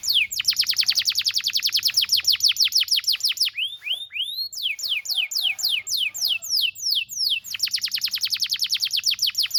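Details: Canary singing as training material for young birds, a long fast series of sharp descending chirps, a few slower swooping whistles midway, then the rapid descending series again.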